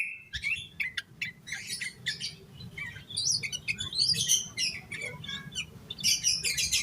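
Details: Yellow-vented bulbul singing hard in a full, agitated style intended to prompt other bulbuls to sing: fairly quiet, busy chattering of sharp chirps and warbled twitters, with a low steady hum beneath.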